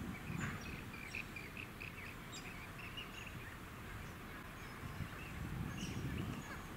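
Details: Rainbow bee-eaters on Bribie Island, Queensland, in October 2019: many short, rolling, trilled chirps in rapid overlapping series, with occasional higher notes above, over a steady low rumbling background.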